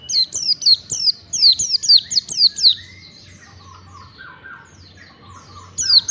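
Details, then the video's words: Oriental white-eye training recording for caged birds: a rapid run of high, sharply descending whistled notes about two per second, then a quieter stretch with softer, lower chirps from another bird, and a final high note. "masteran pleci agar cepat ngalas bukpar, masteran pleci ampuh"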